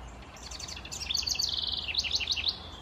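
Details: A House Wren singing on its birdhouse: a bubbling song, a quick rush of high, tumbling notes breaking into a run of sharp, rapid chips, with a faint low hum underneath.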